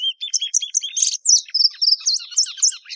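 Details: Plumbeous seedeater, Sporophila plumbea, opens with a few lower paired whistles, then pours out a fast series of high, clear, down-up slurred whistles.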